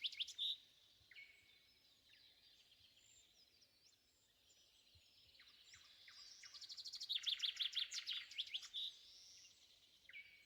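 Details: Shrike calling in woodland at sunrise in May 2020: harsh, rapid chattering bursts, the loudest run late, with a nightingale and other birds singing, plus wind and crickets.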